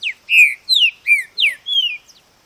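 A Green-winged Saltator sings a short phrase of about six clear, rich whistled notes, mostly slurring downward, delivered briskly over two seconds.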